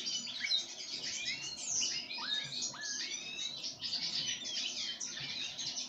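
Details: Pine grosbeak being fed sunflower seeds, giving dense, high twittering chirps with several clear whistled notes that slur downward and then level off, overlapping continuously throughout.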